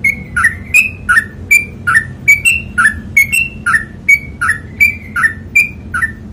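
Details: Sooty-headed bulbul, known as trucukan, delivering ropel panjang song: an unbroken rapid chain of clear two-note whistles, upper then lower pitch, nearly three per second for six seconds, faint hum behind.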